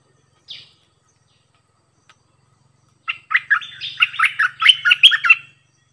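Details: Decoy bulbul singing many songs. One short note, then silence for over two seconds. From about three seconds a rapid, lively phrase of chattering, warbled whistles speeds up and grows louder before ending.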